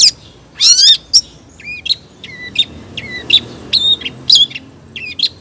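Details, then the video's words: Female long-tailed shrike calling the male: a rattling upward trill, then a steady series of squeaky two-part chirps, each a low note jumping to a sharp high one. "cendet betina gacor manggil cendet jantan"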